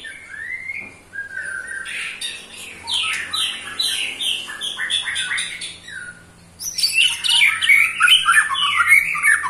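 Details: Ketrekan of a white-rumped shama aged eight months, provoking other shamas: a brief whistle, then rapid chattering runs of falling notes, ending in a loud dense rattling trill with high sparkling notes.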